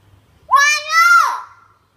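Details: Common hill myna practising speech, giving one drawn-out, voice-like word that dips and rises before trailing off, clear against a quiet background.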